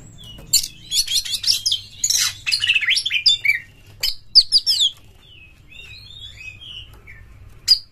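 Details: Oriental magpie-robin (kacer) lure song from Indonesia, intended to provoke other birds: a dense, hurried jumble of scratchy chatter and high twitters, then softer, spaced whistled phrases and one final sharp chip.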